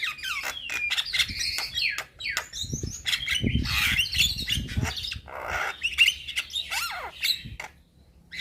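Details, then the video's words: Young Javan myna pouring out a rich, varied song to provoke replies from other mynas: jumbled squawks, rasping bursts and whistled slides, with low background thumps beneath. "Burung Jalak Muda Pasti Nyaut Saat Dengar Kicauan Jalak Kebo Muda gacor Full Isian"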